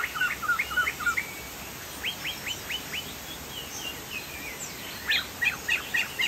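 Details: Chinese hwamei (poksay jambul sumatra) in full song: bursts of quick whistled notes with sharp upward-sweeping strokes, separated by quieter pauses, against a steady background hiss.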